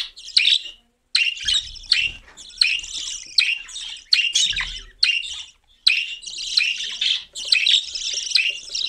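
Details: A cockatiel repeats harsh, grating high calls in clusters about every half second to a second, broken by a silent gap near one second and another near five and a half seconds.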